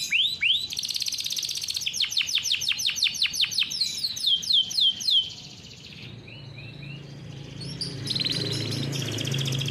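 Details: Farm-raised canary delivering its fast 'ngeroll' song for tutoring young canaries: quick rising chips, then a cascade of rapid downslurred notes, fading to soft scattered twitters and a faint background hum after five seconds.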